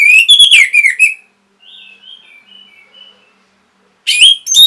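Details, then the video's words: Orange-headed thrush singing, a recording for training and stimulating caged birds to sing: a loud burst of rich, varied slurred whistles, then softer warbled phrases, silence, and another loud burst of whistles. "MASTERAN & PANCINGAN ANIS MERAH GACOR INI ATASI BURUNG MACET BUNYI"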